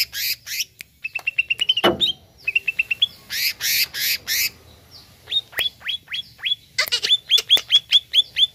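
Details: Greater green leafbird song used to agitate a caged bird: harsh rasps and quick whistled note runs give way to a steady series of clear downslurred whistles, with loud clicks scattered throughout.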